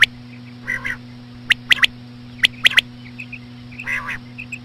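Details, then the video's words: Common quail female sounds meant to attract other quail: a few quick sharp note pairs and triplets, spaced unevenly, mixed with two or three nasal harmonic calls and soft pips, over a steady low hum. "COMMON QUAIL CALLING WITH SLOW FEMALE QUAIL SOUNDS"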